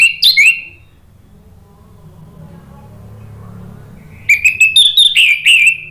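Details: Ngeplong-style orange-headed thrush song used to stimulate other birds to sing: a brief loud whistled pair, a quiet gap with low hum, then a long run of clear, repeated whistles.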